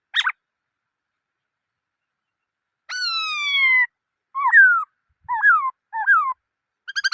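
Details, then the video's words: Black-throated laughingthrush gives a long, loud, slightly descending whistle, then three repeated swooping whistled notes rising and falling, with short harsher notes at the start and end. "Noog Sab Hwj Quaj Dib Tuaj Zoo Heev {นกมะเกลือร้องเพลงNk makelụ̄x r̂xngphelng}"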